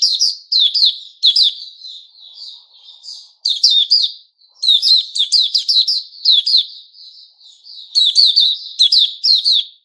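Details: White-rumped shama, known locally as Puteh Raja, singing 'buka' style, recorded 29 August 2021: loud, rich bursts of sharp whistled and chattering notes with buzzy upsweeps, delivered in rapid phrases separated by brief softer warbles.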